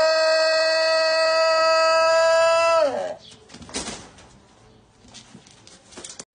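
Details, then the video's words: Ayam Etawa rooster giving an extremely drawn-out crow: one steady, rich, harmonic tone held for nearly three seconds before it sags and fades, followed by rustling and handling noises. "AYAM ETAWA TELER SAMPAI SEMAPUT"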